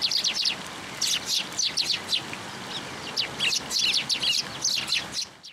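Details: Sparrows gathering at a post to be fed at a Tenmangu shrine, 22 February 2023, giving many overlapping high chirps and tweets in busy bursts, several birds calling at once against light background noise.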